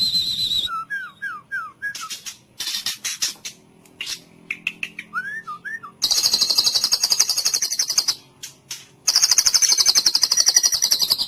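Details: White-rumped shama song used as a training recording for contest birds, in the full cililin style: clear downslurred whistles repeated quickly, then dense, high, buzzy rattling trills in long bursts.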